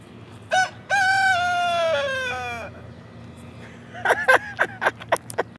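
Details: Rooster greeting the morning with a crow: a short opening note, then a long harmonic-rich held note that slides down at its end, followed by a burst of rapid, sharp clucking notes.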